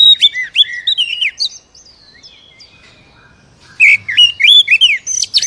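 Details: Oriental magpie-robin in captivity, song used to coax another bird to sing: rapid sharp whistled slurs, a pause of soft warbling, then another loud burst of swooping notes.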